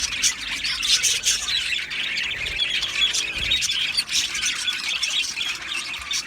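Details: Budgerigars in an aviary colony, described as breeding and mating sounds: a dense, continuous chorus of chirps, squawks and warbles in the upper range, many birds calling over one another without pause.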